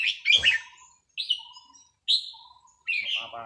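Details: In a practice session, a red-whiskered bulbul sings one jumbled whistled phrase, then three clear separate notes each about a second apart, with a faint voice at the close.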